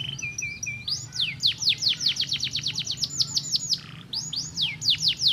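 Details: Canary singing to stimulate other canaries: a short low warble, then a fast run of sharp descending whistled notes, a brief pause, and more loud falling slurs, over a faint low hum.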